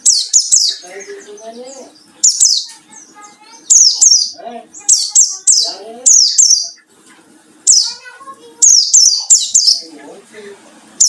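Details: White-eye from the wild, its song used to lure and provoke rivals: high, shrill falling chirps in quick clusters, with softer, lower warbling notes and faint chatter underneath.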